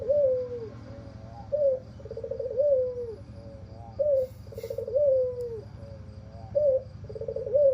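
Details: White albino dove with red eyes and a hoarse voice; a repeated low, husky coo phrase with wavering, slightly falling notes, phrases recurring every couple of seconds over a steady low background rumble.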